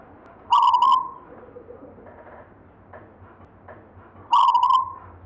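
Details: Local wild-type zebra dove (perkutut) singing: two loud, steady cooing notes with sharp clicky starts, each lasting under a second and spaced about four seconds apart, against a quiet background.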